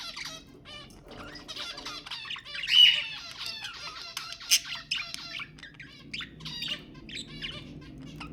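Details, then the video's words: Budgerigar warbling meant to stimulate mating: continuous buzzy chatter of harmonic notes and chirps, with a few louder squawks and a clear whistled tone near the start. "تحفيز البادجي على التزاوج حفز طيورك"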